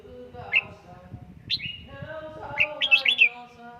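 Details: Red-whiskered bulbul trained indoors in Gia Lai sings short clear whistled notes, then a lively run of rising and falling warbled notes, with ringing resonance beneath.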